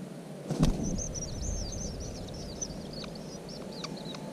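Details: Red-backed shrike (Lanius collurio) at its nest, giving a thin, high twittering series of quick chirps for about two seconds, then a few sharp ticks, over a steady low rumble and a thump.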